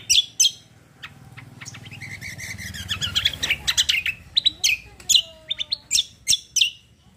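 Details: Cucak kombo songbird singing in the kecial kombo roll style, with sharp high chirps and notes, a rapid buzzy stretch in the middle, then loud separate chips spaced about half a second apart.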